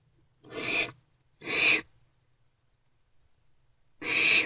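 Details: Young barn owls huddled in a nest box during early morning darkness on 3/2/24; three rasping, noisy screeches of under half a second each, two close together and a third after a pause of two seconds.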